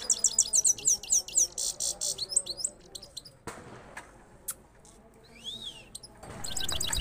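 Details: Goldfinch two-step rolling singing: quick high twittered notes repeated in a run for two seconds, then a pause with scattered clicks and a single rising-falling whistle, before the twitter resumes at the end.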